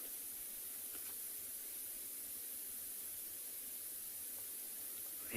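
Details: Quiet, even hiss runs throughout with a few faint soft ticks and a brief louder swell of noise at the very end; no animal calls stand out.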